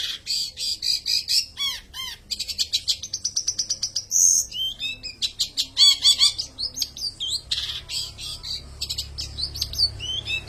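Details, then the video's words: Long-tailed shrike in a varied, fast song of high chirps, trills and sharp slurred whistles, packed with rapid changing notes and mimic-like phrases. "Burung Cendet || Peles Bukan sembarang Peles"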